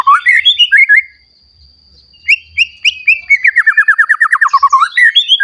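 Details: Newly moulted young white-rumped shama in full song, used to stir other shamas into singing: varied whistled phrases, a pause, then a fast run of about fifteen repeated, falling notes ending in higher whistles.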